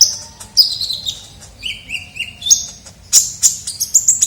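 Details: Kolibri ninja sunbird lure recording: high whistles sliding downward, a lower steady whistled series, then sharp loud chirps repeated quickly at the end.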